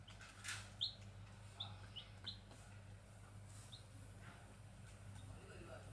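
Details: A few sharp, high rising peeps from grey junglefowl chicks come early, then thin out to faint scattered notes over a steady low hum.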